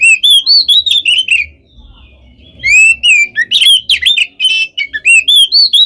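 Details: Oriental magpie-robin pouring out loud whistled phrases with rising and falling notes and a harsh rattling section, briefly pausing over a low murmur before continuing; the nonstop singing is meant to rouse other birds.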